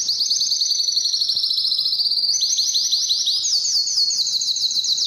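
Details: Canary singing training to arouse males and females for mating. Unbroken rolling trills start high and slowly drift lower. Around two and a half seconds the song jumps to a new series of louder, faster looping notes.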